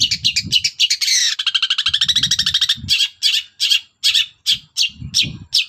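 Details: Morning song of a Long-tailed shrike aimed at provoking other birds into answering: a fast buzzy trill of rapidly repeated notes, then slower harsh chip notes, about 158 notes per minute, with some low background rumble.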